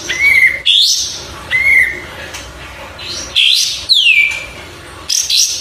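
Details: Oriental white-eye (kapas tembak) singing clear whistled phrases: level mid-pitched notes and bright, steeply falling sweeps, in separate bursts with quiet gaps between them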